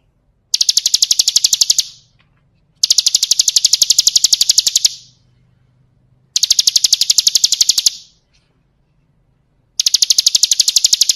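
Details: Bar-winged prinia performing 'ciblek kristal' tutor song for training birds: four bursts of rapid, shrill chipping trills, each roughly one and a half to two seconds long, separated by short silences.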